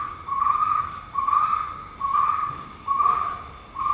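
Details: Jungle owlet eating a big insect it caught; a series of hoarse, even notes at one pitch, each about half a second long, repeated roughly once a second, four full notes. A steady high insect drone continues throughout.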